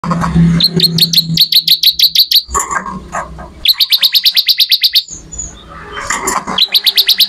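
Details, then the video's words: Bar-winged prinia singing lively, used as a tutor recording for songbirds: fast trains of sharp, high chipping notes repeated in rapid bursts of about a dozen, separated by short pauses, with low background rumble at the start. "MASTERAN BURUNG MATERI CIBLEK ORIGINAL GACOR"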